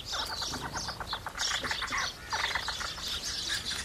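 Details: Feeding house sparrows give rapid series of sharp chirps, quick clipped notes repeated several times a second in two busy bursts, the birds calling over one another.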